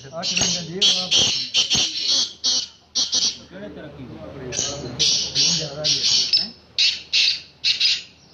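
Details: Black francolin calling during a calling contest: a run of loud, rasping, harsh bursts in rapid series, a man's voice talking underneath in the middle, then the grating bursts resume.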